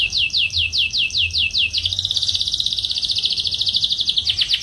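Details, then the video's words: Dark-coloured male canary singing: a series of evenly spaced downslurred notes about four per second, then a fast continuous rolling trill that runs to the end, with a faint low hum behind. "تغريد فحل جزري غامق"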